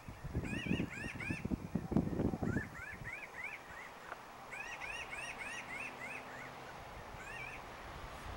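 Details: A flock of Pinyon Jays at Salida calls in the background while one preens: nasal, mewing rising-and-falling calls in quick overlapping bursts, with low wind or handling noise over the first seconds.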